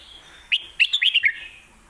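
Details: Caged red-whiskered bulbul from Thailand, singing in the Lak Wai versus Mae Bot song styles. One crisp phrase of about six quick, bright, slurred whistled notes falls slightly in pitch within under a second, then stops.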